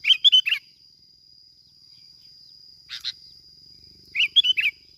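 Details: Bulbul from Bình Thuận, Vietnam, a recording used as a lure, giving two bursts of short, quickly repeated warbled notes with a faint steady high tone running throughout.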